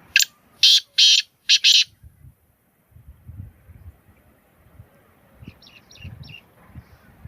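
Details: Black francolin calling: four loud, harsh, grating notes in quick succession within the first two seconds, then a fainter series of four shorter rasping notes after a pause, over low background rumble.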